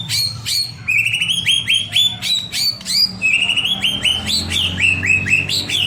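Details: Lively white-rumped shama song, a lure recording meant to get other birds singing: rapid series of short notes, each a sharp upward flick settling into a level high whistle, steadily repeated over a low background hum.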